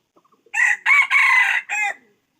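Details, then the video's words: Red junglefowl crowing: a few faint ticks, then a loud, harsh crow in four parts, a short opening burst, two long strained middle notes and a shorter falling final note. The background is otherwise quiet. "Tiếng gà rừng rặc"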